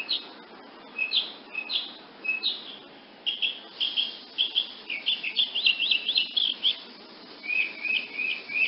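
A woodnymph hummingbird gives high, thin chips and quick twittering bursts, bunched into short runs every second or so, with faint background hiss.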